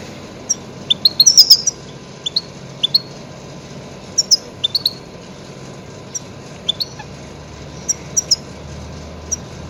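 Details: Goldfinch lure calls for catching grey-headed goldfinches: a scatter of thin, high, liquid tweets, a quick chattering burst early on, then separate chirps spaced irregularly through the clip.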